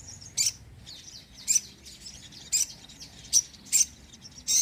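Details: Chatty sogon bird song meant to attract birds and stimulate lazy ones to sing: brief, very high, sharp chirps spaced about a second apart over a quiet background.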